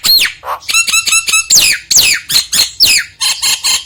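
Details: Nias hill myna singing, played to provoke a lazy myna: rapid buzzy stacked notes, loud descending arched whistles and a low nasal note, delivered in quick succession with short gaps.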